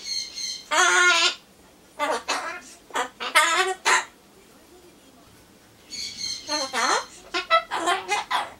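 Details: Talking pet Solomons corella, a Ducorps's cockatoo, happily repeating learned phrases such as hello, good evening, it's cold and want a bath while awaiting pumpkin; bursts of voice-like words and harsher squawky syllables, separated by short pauses.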